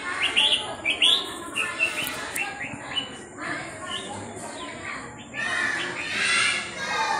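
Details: Red-whiskered bulbul, hand-tamed since young, gives short, bubbly whistled notes about every second, with a louder warbling burst near the end, over faint background noise and possible voices.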